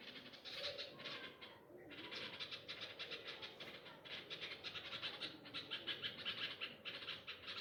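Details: Nightingales crying for a lost chick taken by a cat on its first flying day from a nest in a tree by pomegranate plants; grating, buzzy calls repeated rapidly and continuously, briefly broken once near the start.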